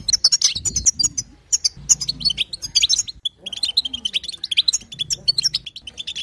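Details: European goldfinch female calls used to make a male sing: bursts of quick high chirps and buzzy notes with several brief breaks, over a faint low hum.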